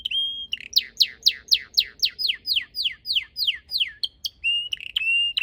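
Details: Red canary singing in a garden with purple azaleas in late March: a fast roll of about a dozen bright, downward-sweeping notes at roughly four per second, then clear high whistles and chips.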